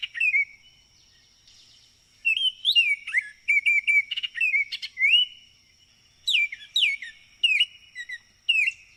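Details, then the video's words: Baltimore Oriole gives rich, flute-like whistled notes that slur up and down, broken by brief dry chatters, in quick bursts, with a faint steady high hum underneath. "Baltimore Oriole Call and Sounds"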